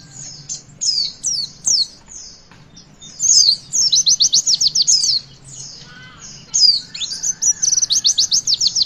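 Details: Witwit-style song of a Javan white-eye, played to stimulate young birds to sing. Very high slurred whistles lead into fast runs of repeated zigzag notes, with three bursts spaced a few seconds apart.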